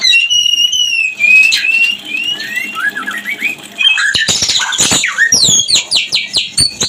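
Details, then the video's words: Mating song of a white-rumped shama, played to bring birds into breeding condition: long high whistles and slurred phrases, then a burst of rapid clicking and fast repeated chips. "Murai Kawin Pancingan Manjur - Suara Pancingan Murai Kawin LANGSUNG BIRAHI cepat LANGSUNG KAWIN"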